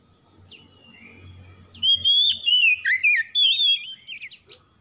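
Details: Oriental magpie-robin singing loud, clear whistled phrases that slide and warble up and down, a rapid run of notes after a quiet start with soft low rumble in the background.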